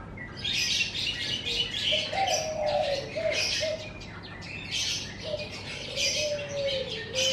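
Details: Birds singing in the morning in front of a house: a busy chatter of high, bright chirps and tweets throughout, with softer, lower whistled or cooing notes drifting underneath.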